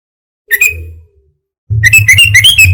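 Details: Sooty-headed bulbul lure sound meant to bring wild bulbuls close for trapping: one whistled note, then a lively burst of rapid, high squeaky chirps over a low hum.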